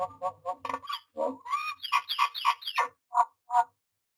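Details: Myna calling at its nest box in the nesting season: rapid series of gurgling, chattering notes, about two or three per second, rising into squeaky whistled slurs, then two separate croaks.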